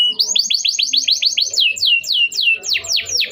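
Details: Canary singing long and steadily, offered as a lure for young birds learning their song and for canaries that have gone quiet; a run of quick rising-falling chirps slows into broader swooping downward notes, about three per second.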